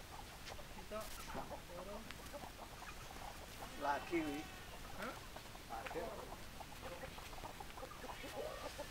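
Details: Several chickens, called with their favourite food, cluck busily, with short throaty notes tumbling over one another several times a second; a few louder, rising squawks stand out, and a faint human voice is heard behind them.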